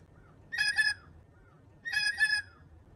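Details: A blue jay, likely a female friendly with the person filming, gives two harsh, raspy jeer calls about a second apart, each a doubled nasal note, over a quiet low background hum.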